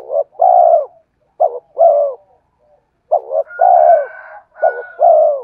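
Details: A spotted dove's luring song: four low cooing phrases, each a short double note followed by a sustained, descending coo. A faint, steady higher tone accompanies the later phrases.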